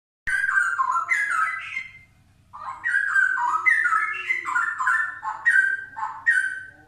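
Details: Straw-headed bulbul song: two bursts of loud, rich, bubbling whistled phrases tumbling up and down in quick notes, separated by a brief pause, with a faint low hum beneath.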